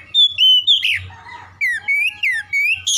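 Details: Oriental magpie-robin song meant to trigger aggressive singing: a long clear whistle, a short harsh burst, then a series of loud slurred whistles rising and falling, about one every half second, with a low hum beneath.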